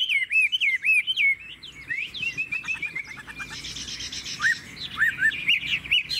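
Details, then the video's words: Caged Chinese hwamei from Vietnam with a wild forest voice delivers zigzagging whistled notes, then a softer stretch of rapid trilled elements, and ends with clear upslurred whistles. "Chất giọng rừng ko lẫn vào đâu đc"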